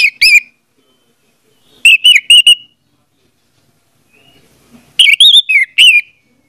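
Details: Orange-headed thrush song used as a lure to get a silent bird singing: three bursts of loud, clear whistled notes and short slurred phrases, separated by silent gaps, no other sounds.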